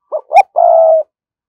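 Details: Spotted dove kept as a lure bird, cooing to draw in wild doves: two short soft coos followed by a long, steady, mellow low coo, heard once on a silent background.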